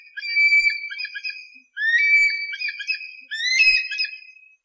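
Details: An eagle calls in three runs of clear whistled notes, each run opening with a rising slur and breaking into quick stuttering piping, a faint click near the end.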